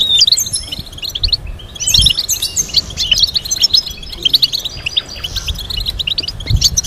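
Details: European goldfinch singing a complex teaching melody: an unbroken stream of quick, high tinkling twitters and buzzy trills, tightly packed, with soft background bumps.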